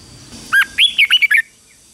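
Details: A single lively phrase from a red-whiskered bulbul in morning training for competitive singing: a short upward slur, then a rapid string of four or five rich, bouncing whistled notes, ending abruptly into quiet.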